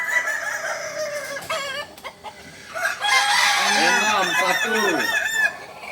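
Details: Kukuak Balenggek rooster, the singing chicken breed from Solok, crowing in drawn-out undulating phrases with repeated looping bends, a short break midway, then a louder warbling stretch ending abruptly.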